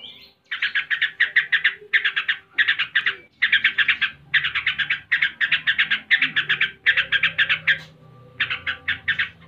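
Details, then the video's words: Yellow-vented bulbul in ngebren style, delivering long trains of fast, rattling chirps in dense bursts of five or six notes, one after another with brief gaps, over a quiet low background. "Tembakan SUPER, Trucuk ngebren (gacor)"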